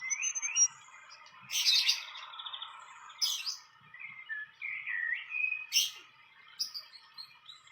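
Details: Fantail in the wild near its nest, giving short rising and falling whistled notes around mid pitch, interspersed with a few sharp, broadband clicks; a quiet, otherwise calm outdoor background.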